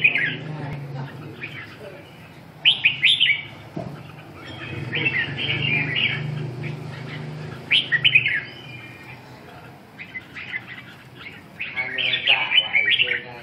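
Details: Red-whiskered bulbul: short chirpy, slightly husky phrases given in bursts every second or two, some louder clusters, over a steady low hum.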